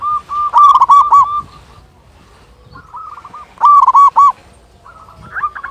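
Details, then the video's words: Local zebra dove with a big voice, used to get other doves singing: two loud rolling cooing bursts separated by a quiet gap, then a softer fading phrase. "Perkutut Lokal Gacor Suara Besar Masteran Pancingan Burung Perkutut Agar Bunyi"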